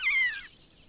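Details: Long-legged buzzard at its nest in Kalmykia Republic, recorded close up with an action camera: a single loud, mewing scream, slurring downward and lasting under half a second, followed by faint background hiss.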